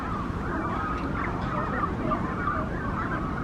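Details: Brandt's cormorants nesting at a Monterey colony in the morning: a brief, dense tangle of wavering calls from several birds over a loud, constant low rumble.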